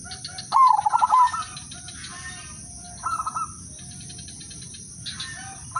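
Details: Perkutut (zebra dove) of the Udanmas Silver line, kept as a lure singer for other doves. A loud stuttered coo phrase opens, followed by a quieter echoing phrase three seconds later and a faint third, under a persistent high whine.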